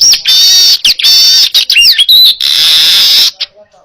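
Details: Baya weaver singing loud and close as a training recording for other songbirds: long harsh buzzing wheezes with brief gaps, a few whistled rising slurs in the middle, ending abruptly in quiet.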